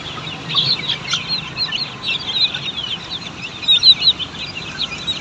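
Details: A flock of Australorp chicks at a poultry farm cheeping constantly, high thin chirps crowding together with a few louder peeps toward the end.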